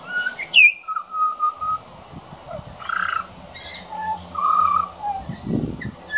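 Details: Juvenile pied butcherbird (Cracticus nigrogularis), a regular young visitor, practising his song: rambling flute-like whistles, held level notes, a quick upward slur and rougher chattering phrases, over faint low hum.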